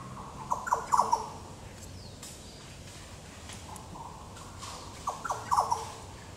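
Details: Yellow Oriole at Goomboora Park, Cairns, Queensland, Australia, 9 September 2022: two short clusters of liquid whistled notes about four seconds apart, with faint clicks and rustling in between.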